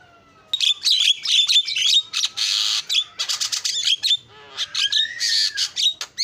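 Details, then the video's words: Starling giving a lively lure song, opening with a faint whistle, then rapid chattering phrases, buzzy rasps and repeated clicking notes. "SUARA JALAK PALING KREN KICAUAN JUARA"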